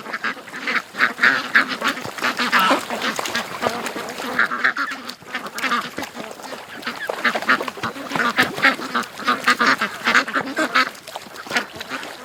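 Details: Ducks quacking steadily as they are let out of their pen in the morning and rush to the creek. Rapid clipped quacks repeat in a busy stream, with louder clusters every couple of seconds.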